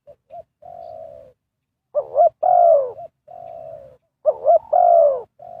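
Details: Spotted dove cooing as a lure during bird trapping. Two phrases are heard, each opening with a hum-like note, then a strong quavering coo that drops at the end.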